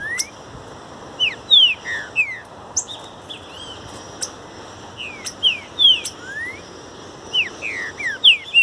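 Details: In nature, a green-winged saltator sings for song training: many bright whistled notes, short downslurs and a few rising slides, delivered in loose clusters over light background hiss.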